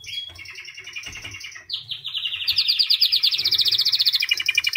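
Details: A white canary sings a high sustained trill that drops into a rising sweep, then builds to a loud fast pulsing roll; low background hum present.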